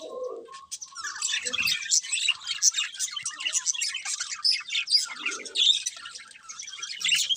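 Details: Budgerigars chirping in a steady stream of high, scratchy twitters and quick warbled notes, opening with a short lower burr and a few soft lower sounds mid-way.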